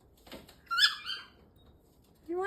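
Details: Male galah kept as a talking pet, spreading his big wings, utters one brief strained, squeaky, voice-like phrase, descending slightly, after a quiet pause, with a person speaking to the bird around it.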